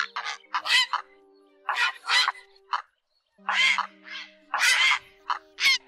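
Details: Grey heron 'ét' and 'ọc ọc' flock calls, used for night net trapping of migrating birds in August 2024. Rough squawks come in clusters, then a brief silence, then more loud rasping calls over a low steady hum.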